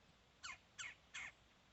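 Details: Woodpecker giving three short, harsh, squawky calls in quick succession, about a third of a second apart, each a bright burst of noisy high notes over a quiet background.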